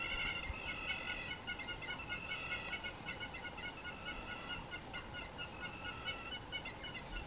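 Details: Two hamerkops at Mapungubwe, Africa, taking turns climbing on each other's back, call in rapid, nasal, ringing notes, about two or three a second, over a steady outdoor hiss.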